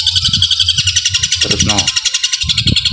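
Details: Long-tailed shrike delivering a super-long 'tembakan gereja' fighting song in one breath: dense, loud, buzzy high warbling that runs without pause, with a low voice murmuring underneath.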